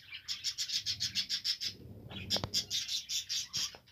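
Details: Budgerigars singing, recorded 7 November 2023: a fast run of bright, high chirps repeated about twice a second, then a brief pause with a low thump before the chirping resumes in the same quick rhythm.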